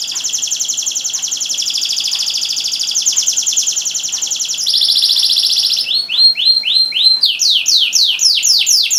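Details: Canary song from Semarang meant to make silent canaries start singing: long rolling high trills for several seconds, a brighter buzzy burst, then a series of crisp downward-sliding whistled notes repeated about four per second.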